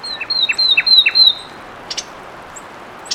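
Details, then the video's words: A phrase of four quick, whistled, downslurred notes from a fulvous wren, then a pause broken by a few dry, high ticks. "Fulvous Wren Sound"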